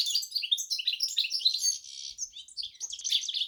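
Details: Brief stretch of high, tumbling twitter from a goldfinch and canary hybrid, dense chirps and short buzzy trills running together without pause.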